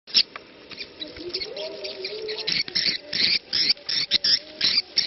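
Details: Swiftlets in a 'ceklok' lure recording played to attract them, looped longer but otherwise unedited, with a faint call to prayer in the background: rapid bursts of sharp, high chattering clicks, quickening toward the end, over soft low tones.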